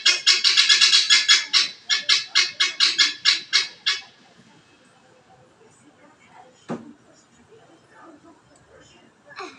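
A guineafowl gives a fast, harsh, rattling series of about sixteen grating notes over four seconds, then falls quiet apart from a sharp knock.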